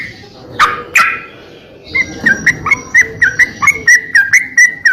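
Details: Greater green leafbird from a songbird training recording: two harsh, scratchy bursts, then a rapid series of bright whistled notes, each with a clicking start, close to four per second.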